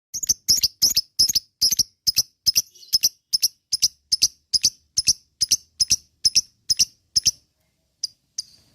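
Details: Kept lovebird in ngekek style, used as a lure to set other lovebirds chattering: a long run of sharp, high, harsh chips, about two a second, steady and even, with a short pause before a few final notes.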